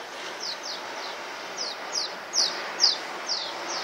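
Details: Swallows flying over Csíkszereda's Tudor district give evenly paced, short, high down-slurred chirps, roughly two a second, a couple louder than the rest, over steady hiss.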